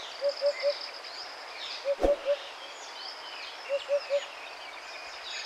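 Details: Sri Lankan junglefowl, the endemic national bird of Sri Lanka, calling in the wild at Wilpattu. It gives clear triplets of short, hollow, mid-pitched notes about every two seconds. Faint high bird calls sound behind, with one sharp click.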